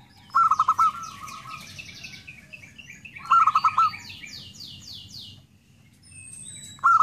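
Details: Zebra dove singing: rhythmic bursts of five or six rapid cooing pulses, each phrase trailing into a softer held note, repeated about every three seconds while other birds twitter behind.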